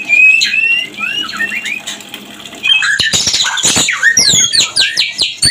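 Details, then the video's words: White-rumped shama, mating call lure for breeding condition: a string of whistled slurred notes, followed by loud clicks and rapid rising and falling chattering phrases at high pitch. "Suara Pancingan Murai Kawin LANGSUNG BIRAHI cepat LANGSUNG KAWIN"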